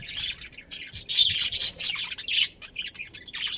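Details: Budgerigars of a breeding pair in a colony chirp in short, harsh, scratchy bursts of high chatter separated by brief gaps.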